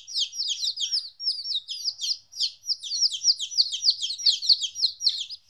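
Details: Two-week-old chicks of domestic chicken, first separated from their mother, peep in a busy chorus of high, down-slurred whistles, repeated rapidly with brief gaps.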